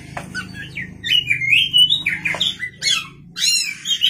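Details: Oriental magpie-robin (kacer) singing actively at night as a lure song: varied whistled phrases, slurred notes and buzzy bursts sliding between mid and high pitch, with a steady low hum underneath.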